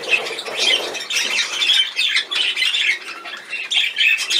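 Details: Hand-fed cockatiel uttering insistent, wheezy begging squawks, rhythmic bursts roughly every half second, some with a thin whistled edge, recorded up close.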